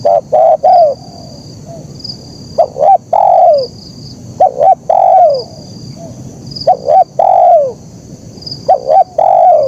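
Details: Zebra dove singing the "kuk 1" style, clear and clean. Each phrase opens with two or three quick clipped notes and ends in a long, falling, mellow coo. The phrase repeats about every two seconds over steady background hiss.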